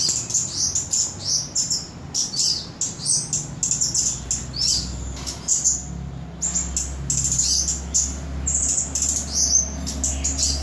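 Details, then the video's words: Flowerpecker, locally called cabai gunung or toli-toli, recorded in Samarinda, Indonesia; rapid, very high, thin twittering notes and short sweeps given almost continuously, with a steady low hum underneath. "Cabai gunung / toli-toli"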